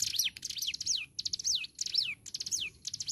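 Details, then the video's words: Hill prinia, called ciblek gunung, singing energetically. Phrases come almost nonstop, about two a second. Each is a chattering burst of high notes that finishes with a clear whistle dropping steeply in pitch. "Ciblek gunung Gacor"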